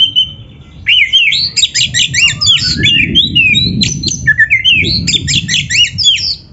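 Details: Continuous, loud 'gacor' song of a kacer (Oriental magpie-robin) for training beginner birds: sweet slurred whistles alternating with scratchy chatter and quick upward notes, over a faint low rumble.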